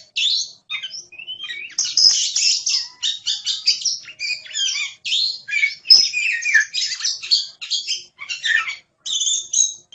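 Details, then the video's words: Oriental magpie-robin in energetic, continuous song of harsh chatters, buzzy notes and whistled slurs, delivered rapidly with only brief breaks. "Suara Burung Kacer | Gacor"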